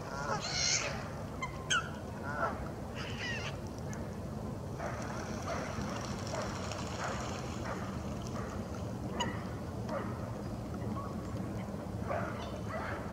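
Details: Iceland gull at Edgbaston reservoir on 25 January 2022: short, nasal, honking calls in scattered bursts every second or two, over steady low wind and traffic rumble.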